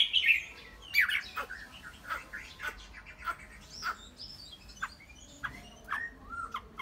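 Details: A captive Chinese hwamei delivers a varied run of short whistled and chirping notes, some sliding, spaced about every half second over a faint low hum.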